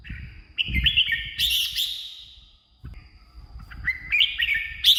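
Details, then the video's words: Red-whiskered bulbul song used as decoy sound to lure wild birds or stir caged birds: two bursts of rich, bubbly whistled phrases split by a pause, over a low thumping rumble. "เสียงนกกรงหัวจุก สำหรับต่อ หรือ เปิดให้นกคึก เสียงเพราะๆ"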